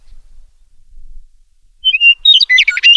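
After a quiet start, a meadowlark gives two clear, high whistled notes, then a quick tumbling jumble of gurgling, fluty phrases.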